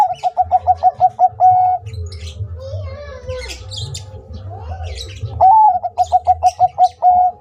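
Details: Zebra dove song from a Bangkok-type perkutut, used as a training master: a quick series of short pulsed coos at one steady pitch ending in a longer held note, a pause filled with small chirps, then the series again.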